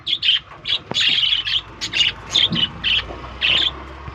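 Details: Chirping from a lovebird breeding colony: a steady stream of sharp, high, squeaky notes in short bursts, closely spaced, with a faint low hum behind.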